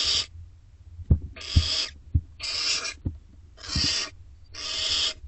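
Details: Barn owl owlets in nest box C, filmed between 30 May and 4 June 2025: five broad, rasping hisses, each lasting up to a second, with dull low thumps and knocks in between.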